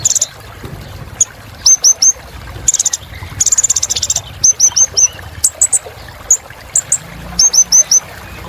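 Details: High-pitched sunbird twitter of the Kolibri Ninja: small groups of three or four sharp chirps alternating with brief, very high buzzy trills over soft background hiss.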